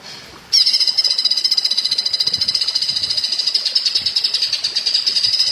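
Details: Woodpecker-style song of a greater green leafbird, recorded for training other birds: a sudden start, then a sustained shrill rattle of quick repeated notes, roughly three to four each second, continuing steadily to the end.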